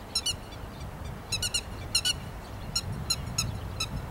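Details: Grey-headed lapwing at rice paddies on 13 May 2021, calling in short sharp notes, often paired, repeated at irregular intervals over a steady low background rumble.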